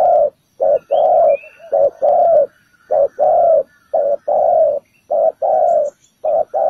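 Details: Ground-decoy spotted dove calling its full repertoire to attract birds to a trap: repeated deep cooing phrases of one short and one longer note, evenly spaced, close and loud.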